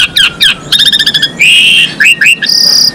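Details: Energetic song from a female Asian pied starling, kept to stimulate males for breeding; sharp chips, a fast rattle, a long harsh buzz, then clipped rising notes and a high thin tone.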